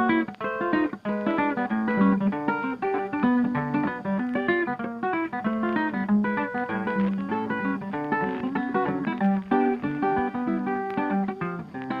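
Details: Plucked acoustic guitar plays a steady strummed tune throughout, with no animal voice audible.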